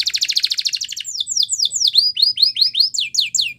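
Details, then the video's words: Spanish Timbrado canary song, recorded as a training song for canaries: a fast metallic rolling trill lasting about a second, followed by quick downslurred whistled notes repeated about four to five times per second. "Canary Singing Training Video"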